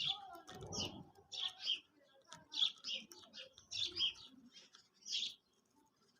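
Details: Quail calls for hunting: short, bright chirping notes in quick uneven bursts, often paired, repeated throughout, with a brief low rumble near the start.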